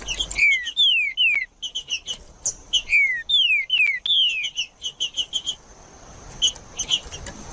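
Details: Captive green-winged saltator singing in the Judas style, played to stimulate other caged birds: clear, descending whistled slurs repeated several times, mixed with sharp, high chipping notes, then a quieter stretch of scattered chips.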